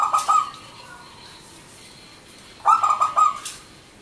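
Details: Local zebra dove in manggung song, used as a lure for doves that have stopped singing: a brief stuttering coo at the start, a quiet pause, then a longer run of rapid clipped cooing notes, evenly pitched.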